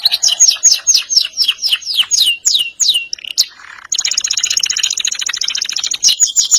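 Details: Lively canary song of rolling trills and sharp notes, the ngerol nembak style: slower distinct high pulses at first, a short low break, then a fast, dense, even trill to the end.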